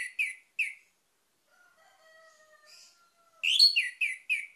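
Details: Orange-headed thrush lure song meant to make other birds sing: clipped whistled notes open the clip, faint thin tones follow, then a full four-note slurred phrase ends it.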